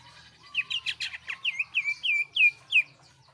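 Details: Jeritan song of a cucak ijo, the greater green leafbird, used to make other birds sing: a rattle of rapid buzzy chips, then six strong, high whistled downslurs.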